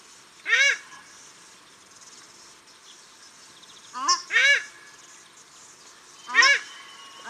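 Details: Male and female paradise shelducks calling at Cornwall Park, Auckland, New Zealand: harsh, nasal, rising-falling honks in brief bursts, one near the start and a quick double around four seconds, another at six seconds, over quiet background.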